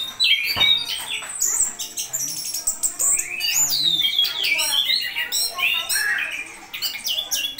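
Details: Konslet-style song of an orange-headed thrush, a fast, unbroken medley of sharp whistles, buzzy trills and rising and falling slurs packed tightly together at high pitch, with faint clicks and a low background hum.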